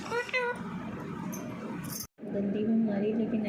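An Alexandrine parakeet talks in short, speech-like phrases with a husky, nasal tone, broken by a brief pause; room noise runs underneath.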